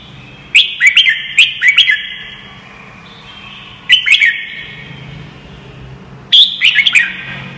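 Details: Training song of the red-whiskered bulbul, played so young white-cheeked birds pick up the voice: a cluster of quick warbled whistles at the start, a pause, then two more short bright phrases, each ringing with a lingering echo.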